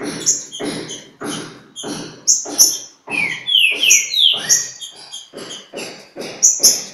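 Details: Green-winged saltator song during a dispute with a free bird at Pedra Azul: rich descending whistles in the middle, high squeaky chirps, and evenly repeated broadband rasping pulses about twice per second.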